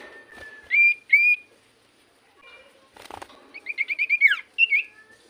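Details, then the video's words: Common iora song played as a lure to prompt other birds to answer: a long steady whistle, then rising slurred whistles and a fast run of repeated warbled notes ending in a drop. "Pancingan Burung sirtu cipoh gacor"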